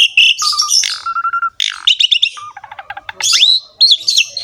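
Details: Javan pied starling, local name jalak suren, delivering energetic ngerek song: hoarse harmonic bursts, two level whistles, fast clicking rattles and rising swept whistles mixed in a varied, mimic-like sequence.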